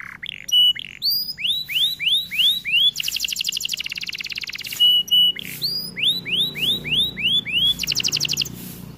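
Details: White canary in full song: rising whistled sweeps repeated in series, alternating with long rapid trills of high notes, the pattern repeated twice.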